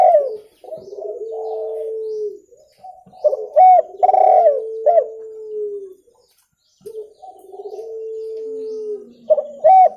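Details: Spotted dove recorded clearly for use in luring birds: low, hollow cooing phrases with long level notes and short louder upward-bent coos, a pause of about a second midway.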